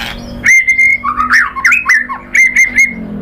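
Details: White-rumped shama singing as a lure to stimulate other birds to reply: a loud, sustained whistle leads into a rapid run of wavering, warbled whistled notes, then a final long whistled note.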